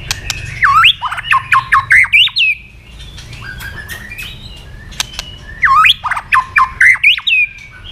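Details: A white-rumped shama, tail-flicking in competitive song, sings rich, loud phrases of swooping whistles and sharp clicks in two bursts, with a quieter whistled passage between, over a faint low hum.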